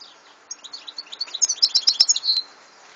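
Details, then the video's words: European goldfinch singing a short, rapid, liquid twitter of high notes, finishing with a sustained nasal buzz. "Chant de chardonneret"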